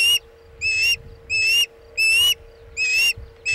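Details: Chesapeake osprey at its nest, afternoon of 27 August 2019, during a bluefish tail delivery. Long, loud, whistled notes rise slightly and repeat about every 0.7 seconds over a constant low hum.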